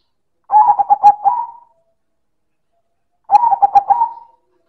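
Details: Silver zebra dove (perkutut) cooing loudly, two phrases nearly three seconds apart, each made of rapid pulsed coos that slide into a drawn-out final note.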